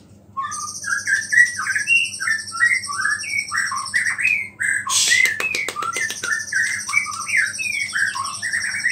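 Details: White-rumped shama in full song, mixing in small-bird imitations to provoke rival shamas. It gives a steady string of short varied whistled phrases, broken midway by a burst of clicking noise, over a continuous high buzzing band and low hum.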